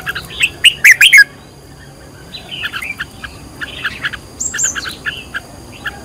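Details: Loud burst of sharp, chattering whistles opens, then softer twittering phrases and a high descending whistle, from a red-whiskered bulbul being trained as a decoy in the fired-up style.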